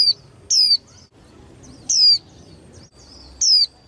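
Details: A young hen white-eye, used by keepers to provoke males to sing more vigorously in contests, gives four bright downward-sliding whistled notes at uneven intervals against a quiet low hum.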